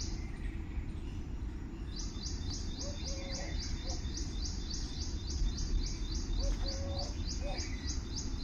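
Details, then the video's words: Morning birdsong outdoors: a long, fast series of high chirps repeated about three times a second, with faint lower whistled notes beneath and constant low background rumble. ""Chirping of birds""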